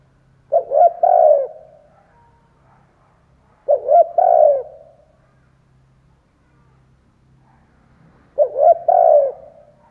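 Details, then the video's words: Spotted dove kept as a decoy, cooing to excite and attract wild doves; three evenly spaced phrases, each of short stuttering hoots ending in a longer, mellow, fading coo, with a faint low drone. "Chim cu gáy kích bổi , Cu gáy kích bổi mở là gáy"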